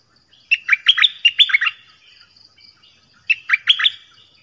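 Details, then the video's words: Nok dok taeng delivering a 'phleng boen' song meant for young birds to learn. Quick series of loud whistled notes swooping up and down, then a short pause and a second shorter phrase of three notes. "เสียงนกดอกแตงEp.5 Birds sounds เพลงเบิ้ล เปิดให้ลูกนก-ลูกเสอร้องตาม"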